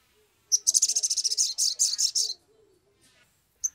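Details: Sumatran leafbird singing excitedly as a lure to prompt captive birds to sing: a long, high, rapid pulsed trill with a brief break partway through, then a lone sharp note. Faint low warbling murmurs underneath.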